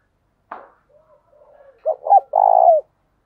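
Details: Spotted dove kept as a decoy, calling to provoke other doves. A sharp click, then faint low murmuring coos, building into a full phrase of two short notes and a long purring coo.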